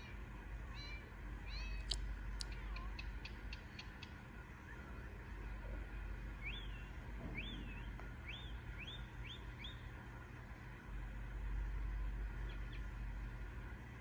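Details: Baby Indian ringneck parakeet: scattered thin chirps and clicks early on, then a run of rising, hooked chirps in quick succession, with faint notes toward the end and a low background hum throughout.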